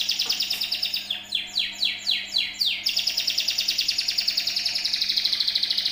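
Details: Canary song used as a lure to get other birds singing: a loud, continuous, very high rolling trill, broken in the middle by a run of six quick downward-sweeping whistles, then a steady rapid pulsing trill again.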